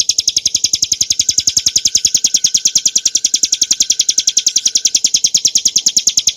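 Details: Ciblek gunung, the bar-winged prinia Prinia familiaris montana, singing the ngebren nembak style used to train cage birds: an unbroken, very fast train of piercing high ticks, roughly ten a second, loud and even throughout.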